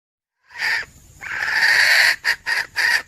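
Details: Female red junglefowl call for hunting: after a brief rough note comes a long strained rasp near one second, followed by three short hoarse bursts.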